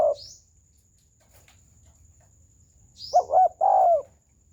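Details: Spotted dove round coo (gù tròn) near the end: a quick double lead note and a drawn-out mellow note after a quiet gap. Short high rising chirps occur twice, and a faint steady high tone runs throughout.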